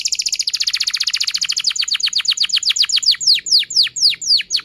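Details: Canary in long emotional song used to get young canaries learning to sing and quiet canaries singing: a very fast, even trill that gradually slows into spaced, sharply descending whistled notes.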